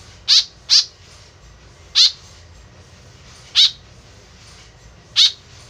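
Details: Tame white-breasted woodswallow calling loudly, its voice used as a lure for attracting approaching birds. Five brief, rasping, squawk-like notes: a quick pair, then single notes spaced one to two seconds apart, with faint steady hiss between.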